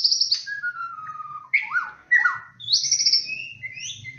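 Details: White-rumped shama pancingan song, varied and whistled: high trill, long falling whistle, twisting up-and-down slurred notes, then high clear whistles, over a steady low hum.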